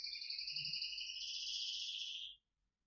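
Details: Canary song used as a tutor recording for pet canaries: a steady, rapid, buzzy trill on two high parallel tones lasting just over two seconds, rising slightly at the end before stopping abruptly, with no other sounds.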